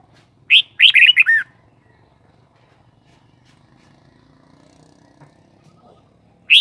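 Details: Red-whiskered bulbul delivering one loud, cheerful warbled phrase of about five fast notes, a quiet pause of five seconds, then the opening note of another phrase.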